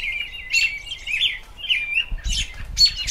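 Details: Spring song of an American robin: liquid whistled caroling phrases, rising and falling, for about two seconds, followed by harsher chirps with low thumping noise underneath.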